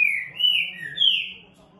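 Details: Rufous-bellied thrush singing early on a Sunday morning at 4:46, 10 July: loud clear whistled phrases, a falling slur then rising and falling notes, with faint low hum beneath.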